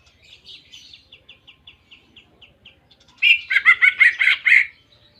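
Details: Greater green leafbird song imitating canary: a soft series of quick high ticking notes, then a loud dense burst of rich chattering trills.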